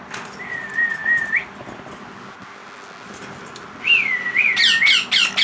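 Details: Parrot chick begging indoors, a drawn-out wavering whistle, a pause of room noise, then another rising wail breaking into a rapid run of harsh squawks repeated about four per second.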